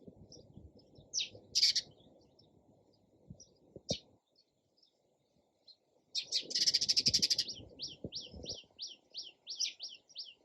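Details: Sparrow chirping in short bright notes, a dense burst of rapid buzzy chips near the middle followed by a quick regular series of sharp downward chirps, with a low background rumble.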